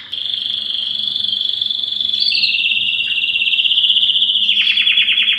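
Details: Belgian canary singing loudly to attract females for breeding: a long continuous trill held at steady pitch, stepping slightly downward midway, ending with a burst of rapid descending rattling notes.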